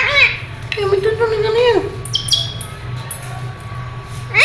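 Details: Rose-ringed parakeet, kept as a pet in Pakistan, speaking in Urdu/Hindi and saying "Mian Mitthu chori khani ha". A thin, wavering, voice-like mimicry is mixed with sharp, high squawks and chirps over a steady low room hum.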